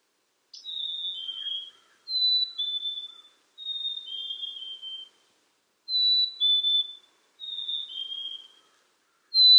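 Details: Black-capped chickadee repeating a plaintive two-note whistle that falls from high to lower. Six or so phrases are evenly spaced with clean silence between them.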